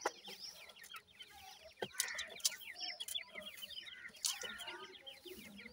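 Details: Chirping from a captive brood of five 26-day-old Black francolin chicks (three female, two male): dense, rapid, high downslurred peeps, several birds at once, with occasional knocks and faint rustling underneath.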